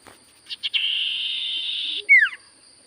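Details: Common iora singing: a few short stuttered notes lead into a sustained, harsh hissing tone over a second long, closed by a loud whistle that slides steeply downward.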